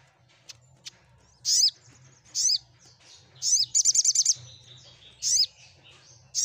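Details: Crimson sunbird song used to make mute birds answer and sing. Sharp, high, down-slurred chirps come singly about once a second, with a quick run of about six rapid notes midway. A low steady hum sits underneath.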